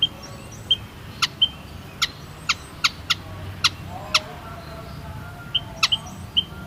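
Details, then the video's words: A white-headed munia (Lonchura maja) gives short, sharp, high clicks and thin piping notes, irregularly spaced, over a low steady background hum. "WHITE HEADED MUNIA SOUND EFFECT"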